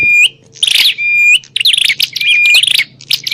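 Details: Bar-winged prinia fighting call for luring wild birds: a long steady whistle ending in an upturn, then a dense burst of harsh chirps and rattles, followed by another level whistle and more chattering.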